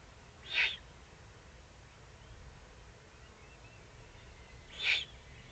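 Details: Eurasian eagle-owl in the Eifel, recorded below the nest site on 31 May 2020. It makes two short, harsh hissing bursts about four seconds apart, with faint distant birds and low background noise.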